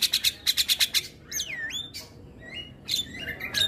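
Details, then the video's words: Javan myna (jalak kebo) in morning song: a quick run of eight sharp ticking notes, then long swooping whistles and harsh chatter. "Suara Kicauan Jalak Kebo pagi Hari"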